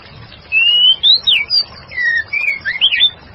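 A female white-rumped shama sings a rich, varied run of clear whistles, sliding up and down in quick phrases over about three seconds.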